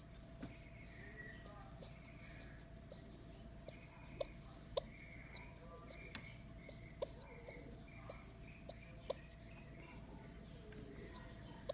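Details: Rescued baby rock pigeon, abandoned by its mother on a neighbour's roof and now hand-reared at home, squeaking on its second day in care: thin, high whistled peeps with a rising-falling arch, repeated about twice a second in uneven bursts with short pauses.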